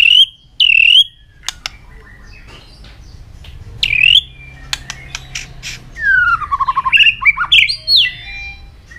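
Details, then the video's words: White-rumped shama in top competition form, tail flicking as it sings: two loud curling whistles, scattered clicks, then a long downward-sliding whistle leading into a fast chattering run of varied twittering notes. "chòe lửa đạt điểm lửa hót đánh đuôi liên tục"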